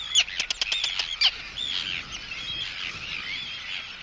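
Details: Arctic tern threat and anxiety calls at an intruder, close up: a rapid cluster of sharp, clicking, loud notes in the first second and a half, then softer overlapping chattering calls.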